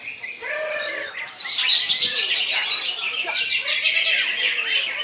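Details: Greater green leafbird (cucak ijo) singing in an unbroken koncer style: after a quieter opening, a loud, dense burst of shrill whistles, chattering trills and rapid varied notes runs without pause.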